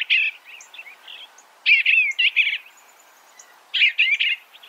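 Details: Eastern bluebird singing three separate bursts of murmured, burry warbling, each around half a second long, spaced more than a second apart with faint notes in between.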